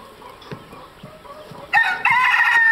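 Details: White-crested Polish chickens, black and blue-laced, recorded 3 June 2012 at Madiswil; soft clucks and knocks from the flock, then a loud harsh crow begins near the end and is still sounding when the recording cuts off.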